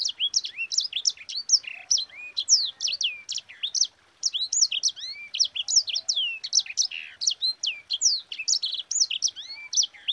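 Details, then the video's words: A Sanger, used as a song tutor for other birds, sings a fast, unbroken, rolling song of sharp, high downslurred whistles and chips, several notes a second, with no other sounds. "Suara Burung SANGER GACOR Ngerol Pedas"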